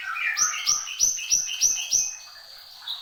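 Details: Horsfield's babbler in full song: six bright, high whistled notes, each sliding down with a lower echoing tone, delivered about three per second, then a softer trailing whistle.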